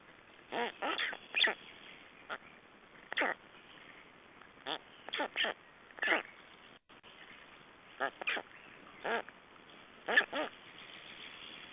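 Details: Black storks at a nest in Estonia on 3 June 2011, during nest exchange and feeding: short nasal, harmonic calls in quick bursts of two or three, repeated about every second with brief pauses, over a faint steady hiss.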